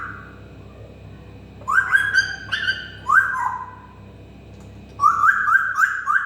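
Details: African grey parrot whistling indoors: a steady whistled tone, then bursts of short rising whistled notes in quick runs, with a final rapid series of upward-sweeping whistles.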